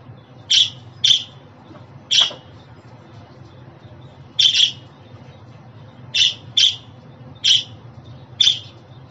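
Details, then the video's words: Budgerigar sending out sparse, bright chirps, singly or in pairs, with gaps of a second or more between them and a quiet low hum underneath. "Muhabbet Kuşu Sesi, Kuş Sesi! Muhabbet kuşu ötüşü, muhabbet kuşu çağırma sesleri!"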